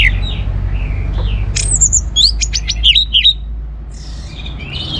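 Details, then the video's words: Orange-headed thrush song meant to get other birds singing: sweet whistled phrases, then a burst of quick sharp high notes and twisting slurs, with a low background hum. "ANIS MERAH Gacor Untuk Memancing Burung Jadi NGeplong Bahkan Teler"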